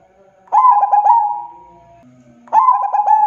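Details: Local zebra dove in active song: a stuttered run of three or four quick cooing notes melting into a long, level, drawn-out coo, given twice, with a faint low hum in the pause between.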